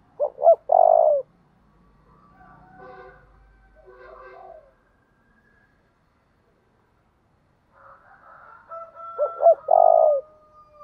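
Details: Spotted dove giving its 'thúc đấu' fighting coo, used to train and stimulate decoy birds: a two-note lead-in and a long, falling, rolled coo. Softer, longer tonal notes fill the gap, and a second phrase follows about nine seconds later.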